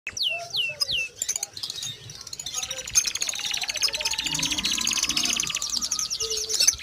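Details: A pet canary sings three quick falling whistles, then long, fast, buzzy high trills of rapidly repeated notes, with a few softer chirps at the end.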